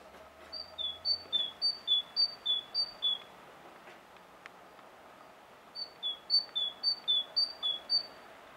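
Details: Coal tit singing, recorded on a Sony HDR-PJ10; bright, thin, whistled two-note phrases alternating high and lower pitch, repeated about six times in a quick steady run, silence, then a second run, low hum briefly underneath.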